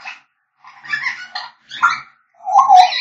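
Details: African grey parrot whistling: four separate bursts of nasal, whiny whistled notes, each under a second, growing louder and more strained toward the end.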